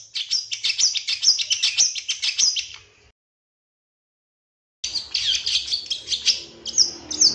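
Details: Long-tailed shrike, cendet, in a full-fill master song for training captive birds: fast, high, twittering chatter, a pause of silence, then more jumbled chirps and short whistles.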